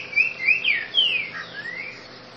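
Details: Green-winged saltator singing in the grego boca mole style: a phrase of loud slurred whistles, three short sliding notes then a longer falling whistle and a softer rising one, over steady low hum.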